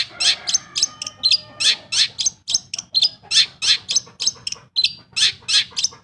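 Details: Long-tailed shrike song serving as a lure to make quiet birds sing: loud, evenly spaced harsh chips and squeaky notes, about two or three per second, forming a steady chattering sequence.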